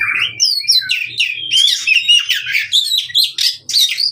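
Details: Oriental magpie-robin, fighting song aimed at birds that no longer sing: rising whistles leading into rapid scratchy chatter, with faint low tapping in the background.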